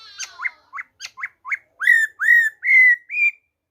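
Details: Black-throated laughingthrush giving wild-type song on 26 December 2020: a run of short upswept whistles that speeds up, then lengthens into longer, smooth, arching whistled notes.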